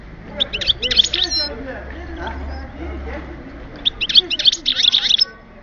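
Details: Goldfinch from Oued Souf, 2010, singing: rapid bursts of high tinkling twittered notes in two clusters, separated by a quieter stretch, over steady background noise.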